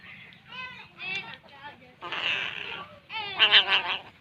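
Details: Begging crow nestling at feeding time, giving a run of short wavering harmonic calls, then longer raspy drawn-out squawks rising in intensity toward the end.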